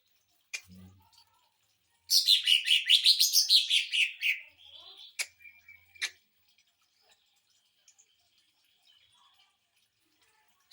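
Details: Greater green leafbird song used to train and provoke other birds: after faint clicks, a two-second burst of rapid warbled chattering notes, then scattered ticks and short sharp notes trailing into near silence.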